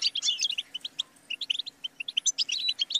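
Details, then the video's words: Short burst of European goldfinch song: quick, bright, evenly spaced chirps with a liquid twittering flourish at the start and end. A faint low hum is present. Offered as training song for songbirds. "The Motivating Anthem of the Goldfinch Bird"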